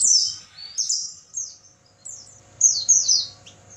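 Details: Oriental white-eye night song recorded for training caged birds: varied high phrases of slurred whistles and chirps, softer in the middle, building to a louder run of quick descending notes.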